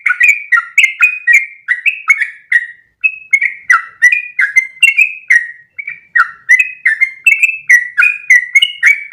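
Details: Yellow-vented bulbul in extended ropel tutor song; rich, jumbled run of rising and falling whistles, briefly pausing twice, then resuming the bubbly chatter at a fast pace.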